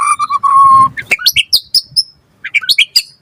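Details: Vigorous white-rumped shama singing to draw a reply: a steady whistled tone, then a quick jumble of sharp chips and short high whistles, pausing and resuming.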